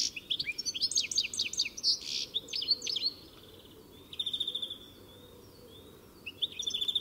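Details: European goldfinch: fast twittering notes and a harsh wheezy burst in the first three seconds, then quieter, with two sustained buzzy trills near the end.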